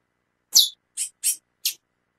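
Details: Four harsh, high-pitched chips from a female chestnut-bellied seed finch calling insistently, the first louder and longer, the rest short and evenly spaced within under two seconds.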